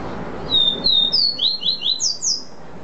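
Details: Seedeater (caboclinho) singing a "vi vi ti" style song: a series of clear, thin whistled notes, each sliding downward, climbing in steps to higher notes. Steady low rumbling background noise throughout.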